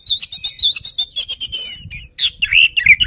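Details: Oriental magpie-robin in full song aimed at provoking a rival: rapid, loud, rhythmic high whistled notes about five per second, then sweeping slurred and chattering phrases, with little background noise.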